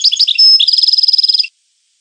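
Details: Goldfinch song phrase of liquid twittering notes, a brief held whistle, then a fast even trill of repeated tinkling notes lasting about a second and a half, clean with no other sounds.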